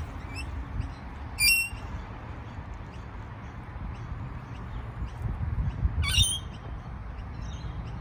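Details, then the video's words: Indoors, a parrot gives two harsh, ringing squawks about five seconds apart over a steady low indoor rumble. "聪明可爱美丽的鹦鹉和叫声Smart cute beautiful parrot and call sound tweet chirping"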